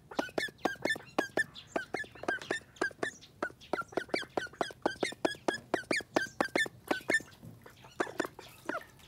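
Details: Call duck, described as angry, quacking insistently: a long series of short, nasal, ringing quacks at a quick steady beat, briefly dropping off near the end before resuming.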